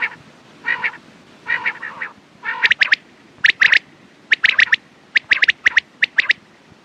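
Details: Three or four hoarse, croaking quail notes open the sequence, then give way to rapid groups of sharp, high, ticking calls repeated about once a second.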